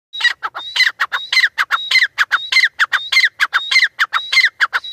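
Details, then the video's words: Grey francolin calling loudly: a rapid, rhythmic series of harsh, ringing notes in repeated phrases, each phrase a cluster of sharp squawks with a higher rising note, continuing steadily for about five seconds against a quiet background. "Teetar Ki Awaaz Teetar Ki Boli GreyFrancolin"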